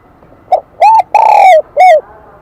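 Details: Wild-caught spotted dove singing in the high, bell-like Kim Đồng voice: a faint brief lead note, then three ringing coos, the middle one longest and gently falling.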